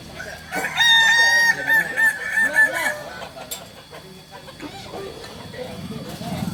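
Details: Kokok Balenggek rooster at a crowing practice gathering in Kota Solok: a wavering, multi-stepped crow with bouncing tones for about two seconds, followed by quieter rustling, faint murmur and background noise.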